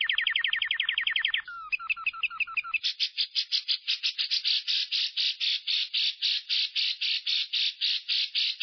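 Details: Lovebird ngekek used to prompt other lovebirds to sing: opens with a rapid run of clear chirping notes and a few lower chips, then settles into a long, regular rasping trill of buzzy pulses.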